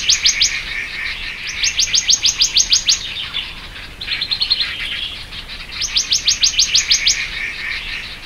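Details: Black-naped monarch (Hypothymis azurea oberholseri) giving quick runs of high, ringing notes, about eight to ten per run, three runs in eight seconds, with a softer chattering phrase between.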